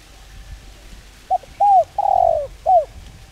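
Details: Single calling coo phrase of a spotted dove used to lure birds: a short clipped note, an arched coo, a long slightly falling coo and a final curved coo, mellow and low, over quiet background.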